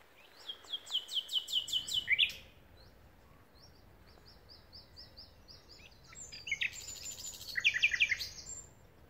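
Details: Common nightingale singing at Pulborough Brooks RSPB reserve: a rapid series of loud, repeated metallic notes, a pause with softer scattered high phrases, then another burst of fast rattling repeated notes.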